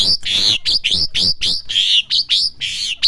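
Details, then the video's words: Asian pied starling youngster practising song, delivering a rapid series of loud squeaky whistled notes, many rising then dropping, about four per second with short gaps between them. "jalak suren belajar bunyi"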